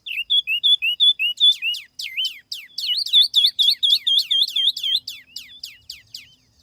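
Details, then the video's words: Tiểu mi laughingthrush song used as a lure, clean with no background noise: fast series of high, sharp whistled notes with hooked upslurs, about eighty per minute, growing louder and denser midway, then thinning out. "TIẾNG CHIM TIỂU MI MỒI"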